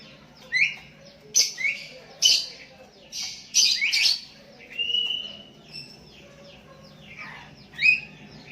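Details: Sooty-headed bulbul calling to a rival lure bird with other bulbuls answering: a lively run of bubbly rising chirps and harsh bursts, repeated in quick clusters, then a drawn-out whistled note and a final chirp.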